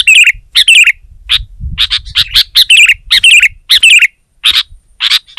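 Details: A sooty-headed bulbul sings hard against a rival. Bright, bubbly warbled phrases come roughly every half second, mixed with short sharp chirps, over a faint low background rumble.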